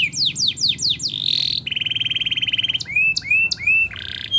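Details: Canary singing meant to trigger silent canaries into song: a run of quick downslurred whistles, a dense high rattle, then a long rapid trill followed by repeated rising whistled notes and a buzzy burst.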